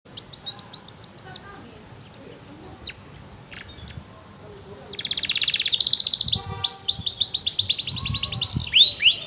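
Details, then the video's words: Young canary learning to sing, practising its song: high, rapid trills and chirped notes, sometimes a buzzy rattle, repeated in quick bursts, with faint background noise. "Calon gacoooo 🥰, belajar bunyi"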